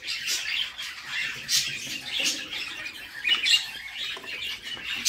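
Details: Budgerigar chicks in a nest box, being fed by their mother, give rapid, raspy, high squawks and chirps in overlapping bursts, harsh and insistent, with a faint indoor echo.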